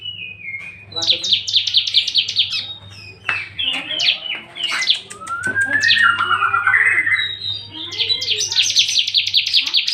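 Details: Song of a Bar-winged prinia out of its cage: bursts of rapid repeated high downslurred notes, sliding whistles and chirps in a lively, varied sequence, with a constant low hum in the background.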